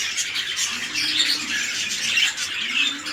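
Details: Budgerigars of the red-eyed lutino variety kept for breeding, large male paired with small female: constant shrill twittering and squawks layered together, a dense high-pitched flock chatter with no pauses.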